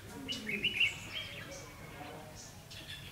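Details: Red-whiskered bulbul, trapping session of 9 December 2015: one loud, rapid, bubbling warble in the first second, then softer faint notes against a low background hum.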